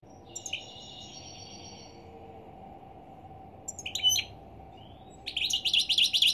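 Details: European goldfinch singing in the morning: a drawn-out high whistled phrase with twittery notes, then short bursts of chattering trills and a fast, jangling twitter run at the end, over a steady low background hum.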